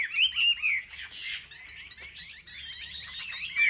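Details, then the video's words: Caged Chinese hwamei of selected market stock in Vietnam, singing competitively, with a few clear whistled notes, then a softer, blurred mix of overlapping twittering phrases, and a loud whistle closing the passage. "Họa mi hót đấu"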